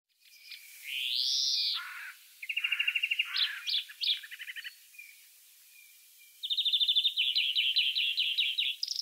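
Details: European greenfinch, a free wild bird, singing: a long rising-falling nasal wheeze, then rapid trilled rattles and twittering runs repeated at varying pitches, with a fast buzzy trill closing the phrase.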